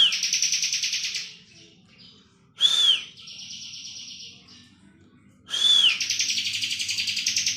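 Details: Bar-winged prinia in vigorous ngebren style: a fading buzzy trill, then a clear arched whistle leading into a softer, even rattle, and after a pause another whistle opening a loud, rapid pulsing trill.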